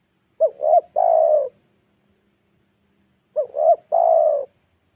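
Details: Spotted dove working as a lure bird in the afternoon, coaxing wild birds to land; two identical phrases about three seconds apart, two short hooked coos then a long, mellow, level coo, silent background.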